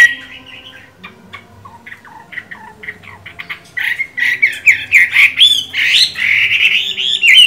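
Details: Chinese hwamei in moult, kept in a cage, starting with quiet scattered chips and notes, then breaking into loud, fast, varied whistled phrases.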